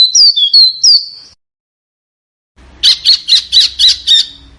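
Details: Small bird, recorded as training material for competition cage birds; three sharp downslurred whistles, a pause, then six harsh chirps repeated in a steady rhythm.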